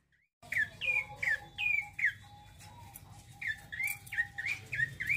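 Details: After a moment of silence, a male bar-winged prinia launches into its rolling song: rapid, loud, bouncing chirps, each dipping and lifting, repeated steadily, with thin background whistles.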